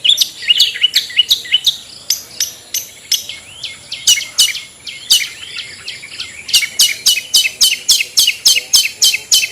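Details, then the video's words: Long-tailed shrike giving ngetet-style song, used to stimulate lazy caged shrikes. Fast, dense sequences of sharp clicking chirps, roughly three to four per second, building into a steady rapid rattle toward the end. "SUARA CENDET NGETET"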